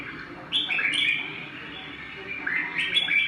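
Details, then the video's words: Bird singing, asked about as how a bird sings: clear whistled phrases with rising and falling slurred notes, two bursts separated by a quieter stretch, over a soft background hiss. "Chim hót thế nào mọi người"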